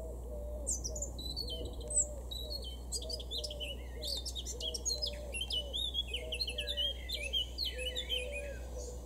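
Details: Male Eurasian blackcap in a garden in Weener, East Frisia, far northwest Germany, June 2022, delivers quick, high, chattering and warbling phrases, with a low repeated cooing and a steady hum underneath.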